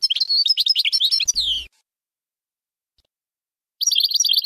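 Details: European goldfinch singing Bainam Ghazarat song to teach fledglings, with tumbling, varied chirps ending in a falling note, a long silence, then a fresh bout of quick repeated twitters.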